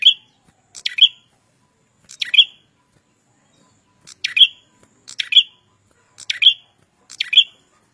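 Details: Red-headed prenjak singing vigorously: a series of seven sharp, high chirps spaced about one second apart, each quick and slightly buzzy with a bright upturned end, in quiet surroundings.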